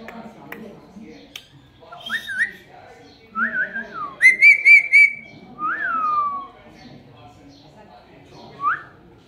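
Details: Talking pet rose-ringed parakeets give a series of swooping whistles, one with a rapid warbled trill, among quiet mumbled chatter and faint clicks.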